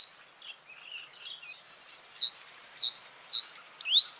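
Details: A common reed bunting gives four high, sharp notes about half a second apart, the last one sweeping upward. Faint warbling from other birds is heard beforehand.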